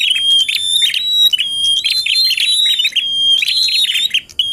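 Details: Bar-winged prinia singing in the full tilek and ngalun styles, used for contest-simulation training: loud, ringing whistled phrases repeated about every second, with rapid metallic trills and sustained piercing tones.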